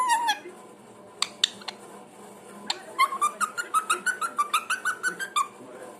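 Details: A pet parrot making different sounds: a falling whistle and a few sharp clicks, then a quick, slightly rising series of about fifteen pulsed whistled notes.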